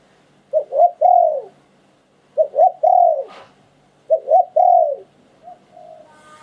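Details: Spotted dove cooing in the prized หลิ่วตัน คารม song style, a bird treasured as auspicious: low, mellow coos in three-part phrases, two short notes then a longer drawn-out coo, repeated about every two seconds in a quiet room.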